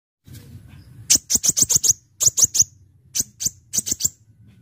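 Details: Brown-throated sunbird, locally called Kolibri Ninja or Konin, singing persistently with full variety as a lure for birds: bursts of sharp, very high chirps in quick groups of three to six, with short pauses between groups.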